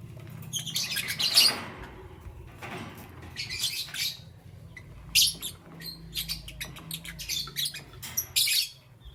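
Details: Morning chirping from lovebirds of green, yellow and lutino colour forms: scattered sharp, scratchy high chirps, one loud burst early on, then short clusters of rapid squeaky notes separated by quieter pauses, with a faint low hum.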